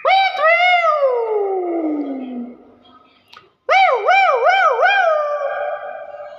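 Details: Common hill myna voice: a rich, harmonic whistle sliding slowly down, a silent gap, then a run of four wavering, undulating whistled notes at an even, steady pitch.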